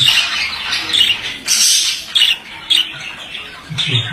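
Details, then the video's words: Continuous high, scratchy warbling from a male budgerigar, cut by a few sharp, loud squeaks and clicks spaced roughly half a second apart. "Erkek muhabbet kuşu sesi"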